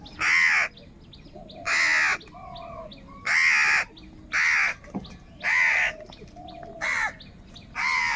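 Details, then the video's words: Loud crow cawing said to show group anger and a call for food. About seven harsh, hoarse caws repeat roughly every second, with quieter whistling birds underneath. "Very loud voice of Crow sound - Crow sound of kaka | Crow bird unity anger and sound for food"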